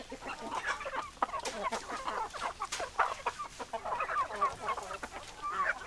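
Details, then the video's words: Hens clucking together, a continuous chatter of short clucks and soft trills from several birds, with occasional sharp clicks. "Chicken Sounds Noises Hens Clucking Roosters Crowing"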